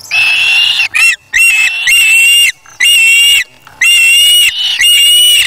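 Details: Osprey chick in its nest on August 3, 2017, snatching a fish from its parent to feed itself: long, loud, squealing whistles with a few short chirps between them, nearly continuous, with brief gaps.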